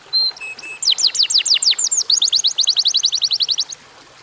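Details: Atlantic canary song, a short lure recording: a high whistled note and two lower flat notes, then rapid downward-sweeping trills that change into a fast run of repeated upswept notes, about seven per second.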